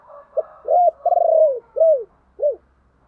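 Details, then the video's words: Spotted dove lure cooing, used to call and provoke wild doves: one phrase of a short low note, an arched coo, a long pulsed purring coo, then two separate downslurred arched notes, in a quiet setting. "tiếng chìm cu gáy"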